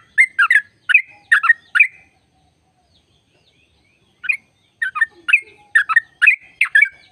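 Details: Trucuk bulbul singing 'ropel' style to stimulate kept birds: a busy cluster of warbled notes, about two seconds of silence, then a renewed run of bubbly, liquid phrases.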